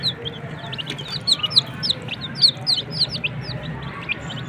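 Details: Country chicken chicks cheep loudly in quick, shrill, falling notes, about four a second and irregular in timing, over a low hum.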